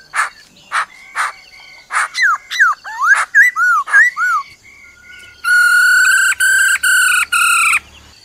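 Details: Forest-style song of a black-throated laughingthrush with the female's rolling trill. It opens with sharp clicks, then a run of clear whistled notes that bend up and down, and ends in four long, harsh, buzzy, tonal bursts.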